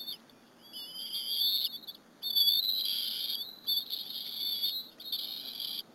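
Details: Bald eagle eaglets at a Berry College nest on 30 April 2015, sharing a squirrel lunch with their mother in the afternoon. They give high, thin, whistled squeals, wavering and slurred, in bursts of about a second with short gaps.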